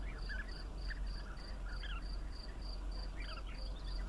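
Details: Bee-eaters call in short trilled chirps, a few per second at irregular spacing, against a rhythmic insect buzz pulsing about twice per second and steady low noise.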